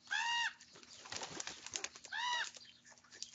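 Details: Common raven youngsters squabbling over food at breakfast. Two loud, nasal, arched harmonic calls about two seconds apart, with a patch of scratchy, rustling noise between them.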